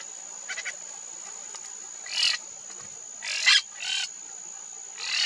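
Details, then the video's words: Monk parakeet at wetlands of the Maldonado river estuary, Uruguay, February 2024: scattered harsh, scratchy squawks spaced about a second apart, with faint tiny clicks early on and a steady high whine throughout. "Monk Parakeet (Myiopsitta monachus)"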